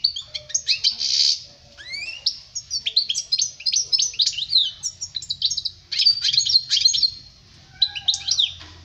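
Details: European goldfinch singing, a recording meant for teaching young birds: a long, almost continuous stream of bright tinkling twitters, rising slurred notes and buzzy trills with only short gaps.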